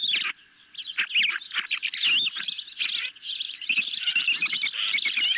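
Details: Ospreys fed a medium-sized fish at the nest on a July 2021 evening, nest camera recording; bursts of shrill, wavering chirps broken by brief pauses, several birds calling together.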